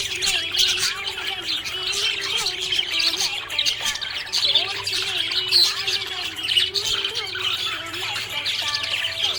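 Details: Happy budgie chirping continuously: dense, scratchy warbles and rapid high chirps with no pauses, over soft sustained musical tones in the background.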